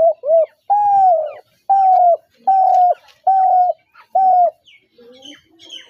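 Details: Spotted dove calling in a run of coos: two short quick notes, then four longer level hoots about every 0.8 seconds, trailing off as faint, higher chirps from other birds come in.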